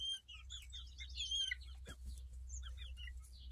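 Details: Pair of young chickens of unknown breed, hatched May 2023, recorded late July 2023; quick series of shrill, slightly rising and falling peeps, fairly steady, with a low rumbling hum underneath.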